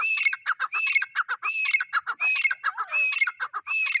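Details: Close male grey francolin giving quick ringing phrases, a rising shrill note then a string of short raspy notes, about six phrases in four seconds.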